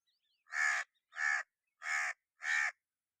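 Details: Crow cawing: four harsh, evenly spaced caws over about three seconds, each a rough, broad burst with no background sound.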